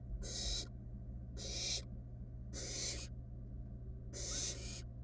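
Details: Four long, drawn-out snoring hisses with pauses between, from wild barn owl nestlings in a research nest box as one chick takes a rat from its sibling; faint hum in the background.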